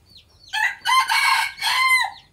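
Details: A home-bred decoy red junglefowl of the traditional Phatthalung line crows loudly: a short lead-in note, then two long, rough, strongly harmonic phrases ending on a falling tail. Faint high bird chirps sit at the edges.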